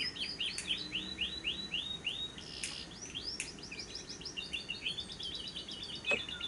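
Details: Lovebird used to lure lovebirds into singing by day and night: repeated arching high chirps, then a fast rattling trill, punctuated by a few sharp clicks.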